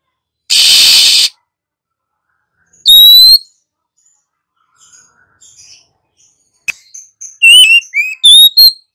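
A female Oriental magpie-robin gives a harsh, hissing rasp, then bright sweeping whistles rising and falling at high pitch, closing with a quick run of whistled phrases.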